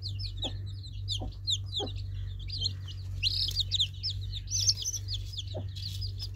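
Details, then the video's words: Baby chicks chirping in bright, rapid high peeps that swell in the middle, with a few dull thumps and an unbroken low hum. "Baby Chicks Birds Sweet Sound Effect Cute Baby Chicks Chirping"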